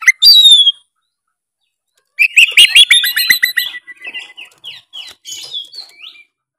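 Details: Oriental magpie-robin (kacer) singing to rouse a quiet bird: a falling whistle, a pause, then a rapid rattling series of repeated notes fading into softer twittering phrases.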